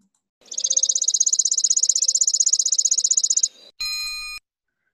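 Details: Chipping Sparrow at Lake Tahoe gives a dry, rapid, high trill of even chips lasting about three seconds, almost insect-like like a grasshopper, easily confused with a junco's trill, followed by a brief electronic beep.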